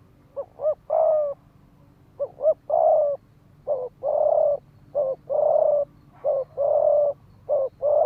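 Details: Spotted dove decoy in hurried 'thúc gù' cooing meant to excite males to fight: tightly packed phrases of short double notes and long, level, burry coos, about six in eight seconds.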